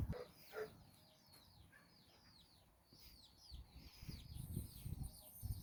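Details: Nine chicks out exploring with their mother hen in Bizkaia, Basque Country. Mostly high, downward-sweeping chick cheeps, with two soft, low clucks at the start and a low rumbling background.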